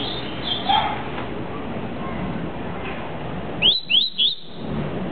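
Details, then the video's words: Captive double-collared seedeater singing the tuí-tuí song type: three quick, bright, upslurred whistles in a tight burst, after a few faint earlier notes, against a steady background hiss. "COLEIRINHA TUÍ - TUÍ"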